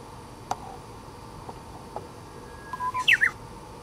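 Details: A Japanese bush warbler, a shy wild bird, sings on a bare dead branch tip. A few soft ticks come first, then a brief whistle and a bold, quick, looping phrase sweeping upward and down.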